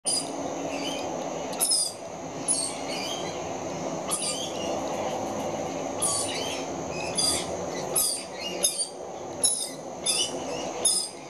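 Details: Two very young rainbow lorikeets screeching for food; high-pitched rasping screeches come in bursts every second or so over a steady low hum.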